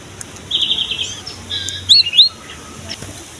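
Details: Cinereous tit singing as a lure for young birds: a brief buzzy trill, then a few loud rising whistles and slurred notes in quick succession.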